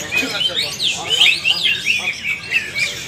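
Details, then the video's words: Greater green leafbird (cucak ijo) in a group training session, singing energetic ngalas-style song: dense run of high sweeping, squeaky notes and rapid chirps rising and falling without pause. "Latihan Bersama Burung Cucak Ijo Part 2 Ngalas nembak rajin"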